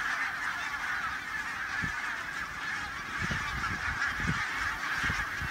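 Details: A flock of barnacle geese lifting off into a strong headwind at Loch Gruinart on Islay: massed, overlapping honking calls form a constant band, with low gusty wind thumps on the microphone.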